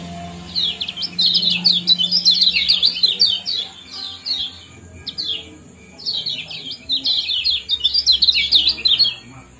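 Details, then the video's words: Lemon-bellied white-eye chatter in ciak and jos style, played to bring birds into breeding condition; two dense bursts of rapid, scratchy high downslurred notes separated by a brief lull, with faint clicks above. "Kombinasi ciak jos spesial pancingan kecial kuning"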